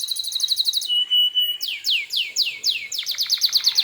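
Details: Canary used as a provoking song for other canaries: quick repeated chips, a held whistle, then a series of sweeping downslurred notes accelerating into fast clipped phrases.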